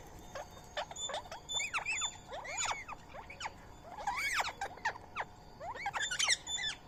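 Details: Indian ringneck parakeets eating soaked rice and corn meal while a squirrel shares the food. Rapid series of shrill, curved chattering squeals, bunched in short busy bursts, over a constant thin high-pitched background tone.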